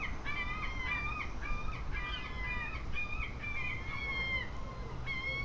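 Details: Several seagulls calling in an English seaside garden: repeated harmonic, nasal yelping notes in quick bursts, some rising then levelling, overlapping from more than one bird, with a steady low background rumble.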